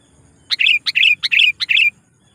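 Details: Lure call of a sooty-headed bulbul meant to draw wild rivals: four quick paired phrases, each a sharp note followed by a rolling, bubbly warble, in a steady run lasting about a second and a half.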